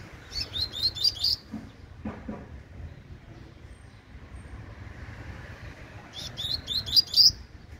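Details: Young Double-collared Seedeater giving its tui tui song style: quick runs of high, sharp, twittering notes, one at the start and another about six seconds later. A few soft knocks sound in between over a low steady hum.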